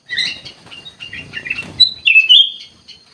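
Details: Ruby-throated bulbul giving a burst of loud, chattering, chirpy notes that run into a clear, sustained whistle near the end.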